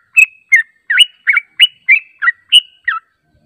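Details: Yellow-vented bulbul lure sound: nine clear, chuckling whistled notes, each slurring up or down, spaced roughly a third of a second apart against a silent background.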